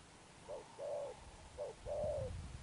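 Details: Spotted dove delivering two low cooing phrases, a short soft note leading into a longer level coo, with low rumbling noise underneath.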